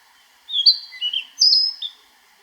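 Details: Song of a Narcissus flycatcher recorded in Niigata Prefecture, Japan: clean, fluty whistles in a quick sequence. A high slurred opening drops to lower warbling notes, then a loud high whistle and a brief closing note, with a calm background.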